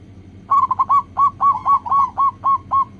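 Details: Zebra dove, local type, singing as a lure for other doves: a loud, continuous string of about ten crisp, evenly spaced coo notes, each a short rising-falling burst, over a faint low hum.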